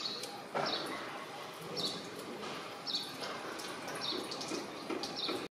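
Common myna giving short, high, squeaky notes about once a second amid dry clicks and chatter, over a soft dripping, watery background.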